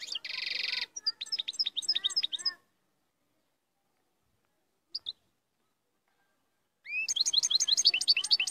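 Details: European goldfinch in strong song: a harsh buzzy burst, then liquid twittered phrases, a long silence broken by two faint chips, and another fast tinkling run at the end.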